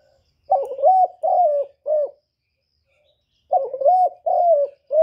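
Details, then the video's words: Cooing contest between a decoy Spotted dove and a wild bird: two deep phrases of three notes each, a wavering coo, a longer level coo and a short final note, separated by about a second and a half of quiet. "Tiếng cu mồi lỡ gù đấu bổi"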